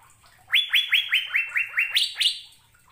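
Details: Asian fairy-bluebird singing, meant to encourage caged birds to start singing. About eight crisp, upward-sweeping whistles in quick succession. The last two are pitched noticeably higher.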